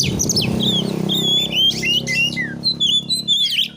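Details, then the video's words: Kacer, or oriental magpie-robin, whistling narung-style material to tempt rivals to respond: long clear level whistles and drawn-out slurs alternate with short chirps over a steady low mechanical hum. "MASTERAN BURUNG KACER NARUNG NEMBAK MATERI"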